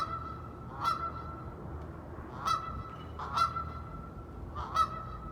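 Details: Wintering flock of wild ducks in icy cold conditions, with four separate loud nasal calls spaced over a few seconds and steady low rumbling noise between them.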